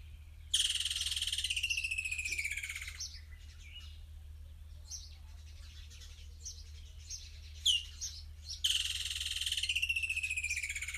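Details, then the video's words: Woodland kingfisher (Halcyon senegalensis) in Kruger National Park in summer: two loud, high trills that slowly descend, each about two seconds, with scattered short chirps from other birds between. "Woodland Kingfisher (Halcyon senegalensis) Bird Call"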